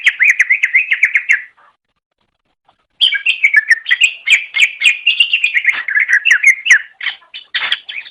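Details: Long, dense chattering from a cucak ijo, a green leafbird, on a master training recording: nonstop buzzy, twittering and warbled notes, a short pause, then an even richer rambling stream.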